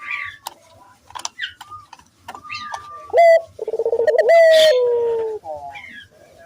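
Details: Lure call of a lively Barbary dove meant to make other doves answer: after scattered thin chirps and whistles from small birds, one loud clipped note, a rapid pulsed trill and a drawn-out falling coo.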